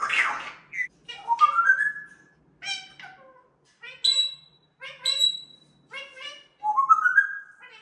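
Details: A playful argument among three parrots, one mischievously interrupting: a noisy opening burst, then a series of nasal, harmonic squawks and scolding notes, some rising at the end, spaced irregularly.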